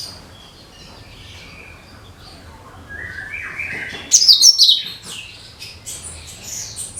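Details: Cucak kinoi singing as lure audio for birds, with quiet warbling that gives way to a sudden loud, high, scratchy twitter lasting under a second, followed by softer chirps.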